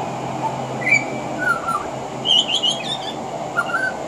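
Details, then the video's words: Veranda-side pied butcherbird song that includes mimicry of other Australian birds: a few short whistled phrases, a high warbled cluster in the middle, and a brief lower whistle near the end over faint background hiss. "Mimicry of the pied butcherbird"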